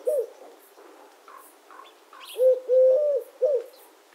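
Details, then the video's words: A Eurasian collared dove ends one phrase, then gives a full three-note coo, short, long and short, while small birds chirp faintly in the background. "The sound of the Collared Dove - Dove Sounds"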